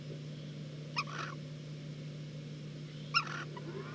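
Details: Barn owl pair in Catalonia, 19 August 2022, back at a nest site after kestrels left, mating; two short, harsh, raspy calls about two seconds apart over a steady low electrical hum on a live cam.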